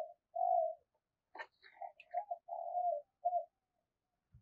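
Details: Spotted dove in the 'thúc rút' lure style for trapping, recorded faintly: a drawn-out coo followed by a string of soft wavering coos, with a brief click and light rustling.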